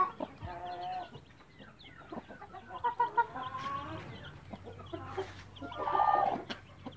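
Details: Mother hen with her chicks, scattered clucks and short harmonic calls around one kilohertz, irregular and spaced out, with a louder cluck burst near the end over a low steady background hum.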